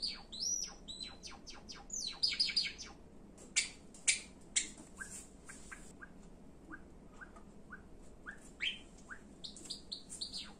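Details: Pet Java sparrow singing indoors: rapid runs of sharp clicks and high chirps with ringing whistled notes, bursts of dense chatter in the first half, then spaced single chips and a few bright trills toward the end.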